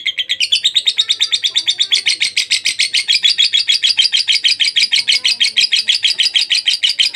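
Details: Long ngekek trill of a lovebird for masteran training: a dense, rattling stream of high buzzy notes that starts slightly uneven, then steadies into a fast, continuous chatter.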